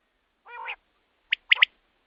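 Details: Common quail call, a recording meant for night use to lure quail for hunting: a short nasal, wavering note, then a pause and one sharp three-note phrase, the first note single and the last two close together.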